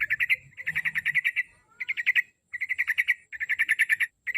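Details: Yellow-vented bulbul, locally trucuk, singing as a lure to make another bird sing daily: short trills of evenly spaced bubbling notes, six to ten each, repeated with brief silent gaps.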